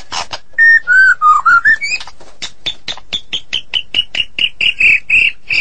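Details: Loud, long-singing White-rumped shama from Medan: a few slurred whistles at the start, then a fast string of short sharp whistled notes and clicks, repeated about four times per second and rising slightly in pitch.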